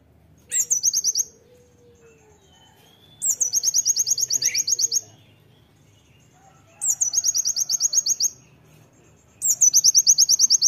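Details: Loud Oriental white-eye song used to train other birds: bursts of rapid high chirps, each opening with a sharp downward note and running into a quick string of rising notes, repeated about every three seconds.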